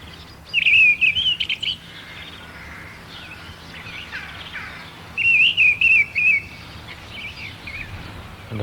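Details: Mistle thrush (Turdus viscivorus) singing in spring: two short, loud phrases of fluty, slightly harsh whistled notes separated by a pause of several seconds, a bold, challenging song resembling a blackbird's; faint background hiss.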